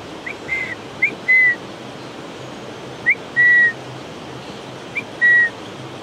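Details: Slaty-headed parakeet at its nest in Ukhimath, seen entering the nest, gives three clear, high whistled calls about every two seconds. Each is a quick upslurred note, then a longer, level, slightly falling whistle, over a steady hiss.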